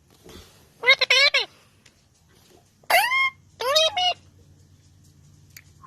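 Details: A pet parrot talking indoors: three short bursts of harmonic, speech-like syllables with rising and falling tones, separated by pauses in a quiet room.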